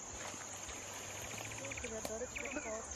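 Rusty-backed Antwren gives a quick run of short, bright notes, about a dozen in a second. A steady high insect drone, a low hum and faint voices run underneath.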